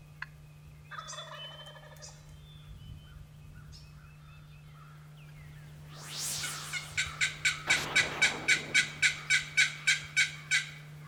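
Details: A wild turkey gobbles loudly on an April spring morning: a rapid, rattling burst of about fifteen throaty pulses. Softer bird calls and a steady low hum come before it.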